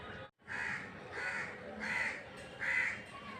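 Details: Rufous treepie calling: four harsh, raspy, crow-like notes delivered at a fairly even pace, roughly one every three-quarters of a second, the last slightly louder, with a quiet background.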